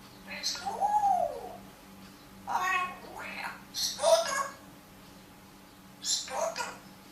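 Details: A parrot talking in a room: four word-like bursts with a nasal, slightly whistled tone, some syllables gliding up and down, separated by short pauses over a low steady hum.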